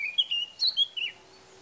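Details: Male Eurasian blackcap from Bavaria, Germany, recorded in June or May, giving a short burst of a few clear, fluty whistled notes that slide up and down and then stop.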